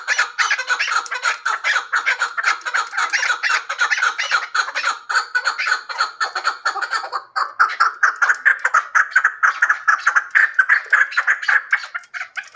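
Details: A hybrid chukar partridge gives a long, unbroken series of quick, rasping cluck-like notes, fairly even in pitch and pace, slightly shifting in tone halfway through, with no background voices or other birds.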